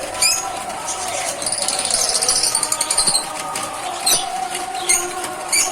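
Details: Pet lovebirds, which chirp in the morning and scream on seeing their owner, chatter in high, rapid chirps and squeaky notes, with sharp shrill calls every second or so over a steady background hum.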